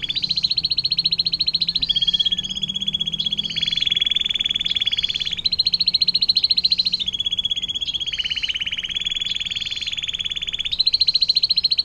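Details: Canary with the long 'air mancuran' fountain-water song, used to tutor magpie robins, green leafbirds and shrikes. Loud, unbroken rolled trills switch between two pitch levels every few seconds throughout.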